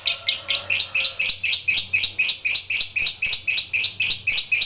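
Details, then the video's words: Lovebird pouring out a long chattering song that provokes rivals, very regular harsh, high notes repeated about four times per second without pause, over a faint low hum. "Suara Lovebird ini Paling Bagus Buat Pancingan Lawan EMOSI Ngekek Panjang"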